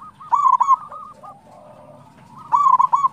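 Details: Local zebra dove song meant to set other doves singing, two loud clusters of quick chattering coos at the start and end, a quieter interlude of gentle overlapping cooing between them.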